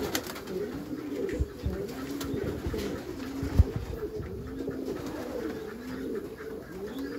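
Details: Meulemans racing pigeons in their backyard loft give deep, arching coos at a steady pace, each a smooth swell of pitch, alongside low thuds and a sharp knock midway.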